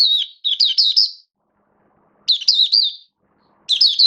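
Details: Oriental white-eye (mata puteh) kept as a hobby songbird, 19 September 2022: quick runs of thin, bright twittering notes in short phrases of about one second, with quiet gaps between them.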